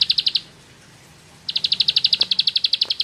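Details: Bar-winged prinia (ciblek sawah) in rapid 'ngebren' song: a short burst of high, sharp chirps ends, silence follows for about a second, then a long, fast, even trill of bright notes resumes.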